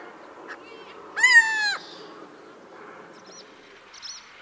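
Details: Little owl, one of a pair photographed in Ryazan region, Russia, gives one loud, nasal, mewing kiew of about half a second, slightly falling, after fainter short notes; thin high chirps from another bird follow.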